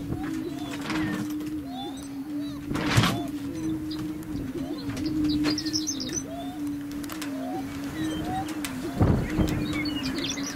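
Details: Greater Prairie-Chickens displaying on a lek in grasslands near McCook, Nebraska, boom together in a steady, low, hollow moan, with bright chirps from Horned Larks and Western Meadowlarks and occasional sharp camera clicks.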